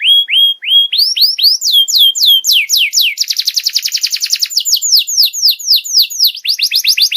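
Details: Canary song played as a lesson for young canaries: three short rising whistles, then rising-and-falling swoops, a dense rapid rattle, and more repeated looping notes at a lively, varied pace.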